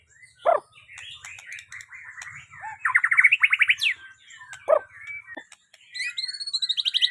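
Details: White-rumped shama in varied song: sharp downward notes, chattering phrases, a rapid burst of evenly spaced repeated notes, a loud upward sweep, then high trilled whistles near the end, over a faint low hum.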